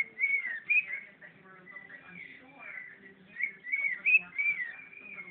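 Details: Pet bird singing its version of "bird is the word": a continuous run of warbled, whistled phrases rising and falling, with quick chattering notes and faint low tones underneath, indoors.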